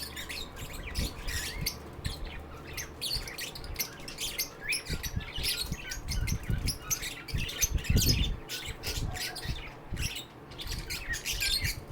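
Lovebirds chatter in fast, scratchy chirps and squawks with steady high twittering, over low thumps and room noise.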